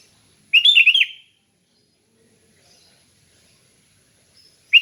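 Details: Sooty-headed bulbul, relaxed 'ngeplong' singing: one crisp phrase of rapid rippling notes, followed by about three seconds of quiet and the start of another phrase at the very end.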